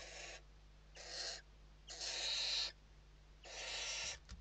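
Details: Western barn owls recorded inside the nest at evening feeding time, Spain, 29 November 2023: four long rasping hisses, the middle one stretched to nearly a second, separated by quiet pauses.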